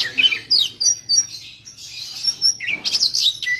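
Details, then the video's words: A long-tailed shrike sings a song-tutoring track for cage birds: a busy, high-pitched medley of sharp chirps, scratchy notes and clear whistled slurs in quick bursts, with a faint hum behind. "masteran pancingan cendet kacer murai"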